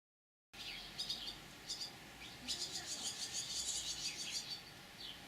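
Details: Young swallows just out of the nest, waiting in a lime tree's crown for parents to feed them, Dugo Selo, Croatia, 2017: dense high twittering chirps, rapid and overlapping, rising into a steady chorus after a silent start.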